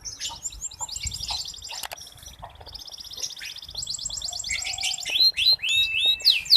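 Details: Local red canary singing constantly, used as a prompt and tutor song for young canaries: fast high trills and varied chirping phrases with a brief broken passage, ending in louder sweeping notes.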